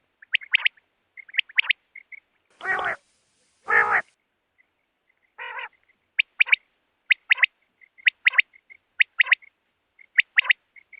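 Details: Rain quail, female, giving crisp paired and tripled notes at an irregular steady pace, with soft single chips between them and two loud, rough, broadband bursts in the first half.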